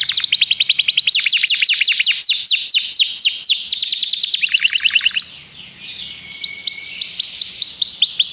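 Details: Canary song of rapid, loud repeated downslurred notes for about five seconds, then quieter soft twittering and a few spaced high chirps.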